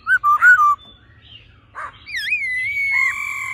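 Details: A laughingthrush pair, the female calling and the male singing in a wild-forest style to excite a male: a few short whistles, a soft rasp, then a long wavering whistle that levels into a steady tone.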